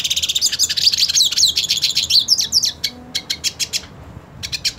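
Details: Purebred hooded siskin singing while wanting to fight another hooded siskin; rapid twittering run of high, buzzy, warbled notes around four per second, ending in sharp clicking ticks after a brief pause.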